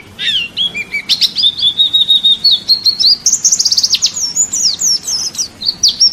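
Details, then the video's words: Champion pleci white-eye in masteran training audio: an opening downward slur, then a long, level, fast chatter of high notes, climbing to an even higher rapid trill and ending in sharp separate chirps. "Masteran wajib pleci juara nasional"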